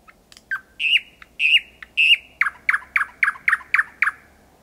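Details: Thrush nightingale singing at night in Kiili parish, Estonia, 8 May 2020, about four to five metres away: thin rising whistles, then a run of about eight sharp, descending notes repeated roughly every quarter second.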